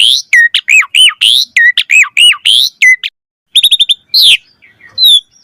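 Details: Asian pied starling in full varied song, a lure recording meant to draw other starlings, a quick run of loud rising and falling whistled notes, then a pause before sharp rapid chips and a final bright whistle.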